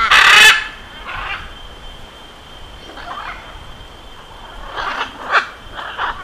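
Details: Macaw of the genus Ara: one loud, grating squawk opens, followed after a pause by a cluster of shorter harsh, raspy squawks, with a faint steady high whine throughout.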